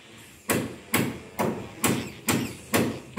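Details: Loud, regular knocking thumps, about seven blows in just over three seconds, with no animal voice heard.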